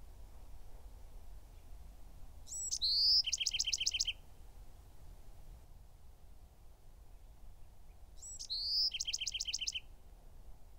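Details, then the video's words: Song of a Bewick's wren, delivered twice roughly six seconds apart: brief sharp introductory notes and a clear level whistle lead into a rapid, evenly spaced trill of doubled notes, with calm surroundings. "The song of the Bewick's Wren (Thryomanes bewickii)"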